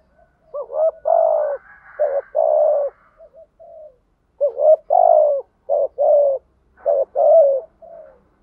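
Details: Spotted dove lure call, sung by male and female birds to prompt other doves into calling: repeated mellow, hollow coos in two phrases separated by a brief pause, with short rapid notes leading into longer ones. No other sounds.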